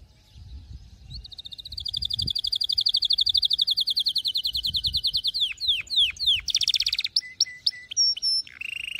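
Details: Singing canary recorded for teaching young canaries to sing: a long, rapid, high trill swelling in loudness for several seconds, then sweeping downslurred notes, a buzzy burst and clipped whistled phrases, with soft low rumbling underneath.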